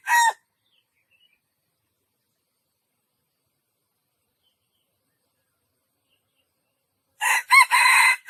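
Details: Junglefowl crowing: the clipped end of one crow opens the recording, then after a long silence a full crow comes in a burst of four rough, harsh syllables, the third one the longest.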